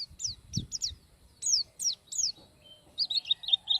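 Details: Oriental white-eye (Zosterops palpebrosus) singing very high, thin slurred notes, several quick downward sweeps, then a rapid twittering warble, with faint low thumps early on.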